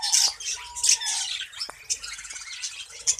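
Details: Budgerigar breeding colony: harsh squawks and bright chirps from many birds, with a few short clear whistled notes and a sudden downward squeak mid-way.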